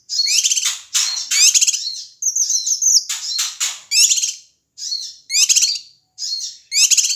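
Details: Male Ashy tailorbird from Sumatra calling loudly to stir up other birds: almost continuous high, harsh chattering bursts with rapid rattles and a brief thin twittering phrase near the middle.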